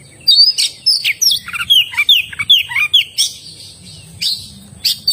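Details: Kacer, the oriental magpie-robin, singing loud clear whistles and descending slurred notes in quick succession, with a few high sharp chirps spaced out toward the end.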